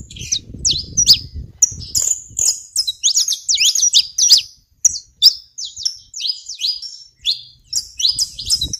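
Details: Saffron finch song recorded on a Brazilian farm plot: a lively run of high, clear chirps and short slurred notes given in quick, irregular bursts, with faint low rumble early on.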